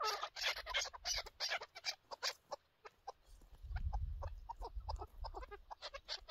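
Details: Chukar partridge recorded during a partridge hunt: a fast run of sharp, clucking chuck notes, dense at first, then thinner and more spaced, with a low rumble of handling or wind noise underneath midway.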